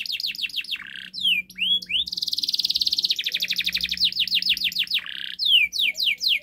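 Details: Domestic canary in energetic master song for luring a non-singing canary into song: quick descending whistles, rising slurred notes, then a dense buzzing trill followed by more falling chirps.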